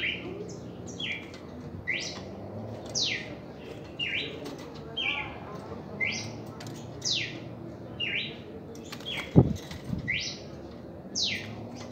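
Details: Red-crested cardinal in its first reaction song: short, loud whistled slurs, some rising and some falling, repeated about once a second over a low rumbling background, with a brief thump near the end.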